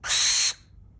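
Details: Indoor barn owl in Japan, at an owl cafe in Tokyo, producing one short, loud, airy shriek lasting about half a second that cuts off abruptly, leaving quiet room noise.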